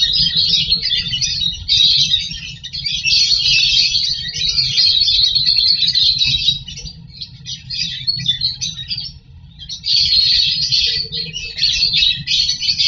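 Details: Lovebirds at a nest box while breeding and feeding hatchlings: a nonstop high-pitched buzzing chatter of many rapid notes, loud and scratchy, broken by a short quiet gap around nine seconds before resuming.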